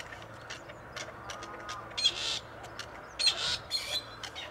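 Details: Two wild male grey partridges, released earlier by a conservation project and now returned near Tullow looking for females. Harsh, rasping bursts ring out four times over several seconds, the last three close together, over a faint low hum.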